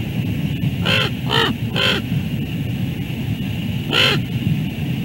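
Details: Common ravens at the Two Harbors bald eagle nest, during a brief chase after one steals the other's food. Three hoarse, harsh croaks come in quick succession, then one more after a pause, over a loud low rumble of wind.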